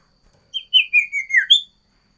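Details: Sooty-headed bulbul in energetic song, a variation of six whistled notes falling gradually in pitch before a final sharp upward note, with a clean, quiet background.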